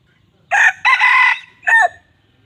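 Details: Red junglefowl crowing, a wild rooster's lure call used to draw birds in: a loud, harsh three-part crow with a short first note, a longer drawn-out middle phrase, then a brief final note, over a quiet background.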